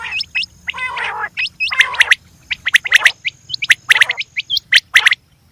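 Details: Female quail giving rapid clipped chirps with rough, gargled bursts in between, loud and repeated about once a second, with a faint low drone behind.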